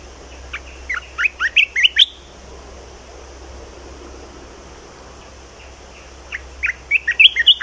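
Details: Two bursts of lively song from a caged red-whiskered bulbul, each a rapid chain of chirpy, warbled whistles, separated by about four seconds of quiet hiss.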